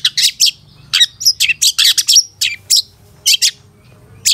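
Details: Caged-bird training master of long-tailed shrike song, full of varied fills: dense, scratchy high chirps and short whistled slurs tumbling rapidly, then thinning to scattered sharp notes.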